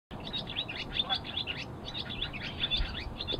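Barn swallow giving a fast, unbroken stream of high twittering chirps and short squeaky notes over a steady low rumble of background noise.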